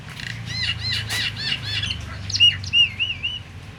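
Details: Myna calling, a sound said to stir all other mynas, even silent ones, into lively singing; a quick series of bright, arching whistled notes, then longer warbling whistles, over a low steady hum.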